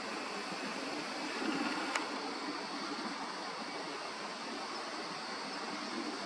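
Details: Rushing water, like a riverbank stream, gives a steady hiss with one sharp click near the middle. No bird voice stands out.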